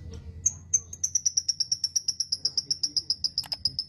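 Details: Lovebird tutor song for training other lovebirds: a thin, piercing high note repeated about six times a second in a steady, slightly falling series.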